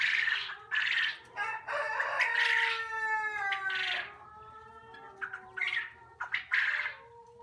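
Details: Young quail in a poultry unit giving a run of harsh squawks mixed with drawn-out, slightly falling tonal notes, several birds overlapping.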